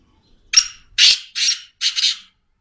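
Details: Loud black francolin call: four rough, buzzy, screechy notes, each roughly a third of a second long, spaced evenly about half a second apart, with near silence around them.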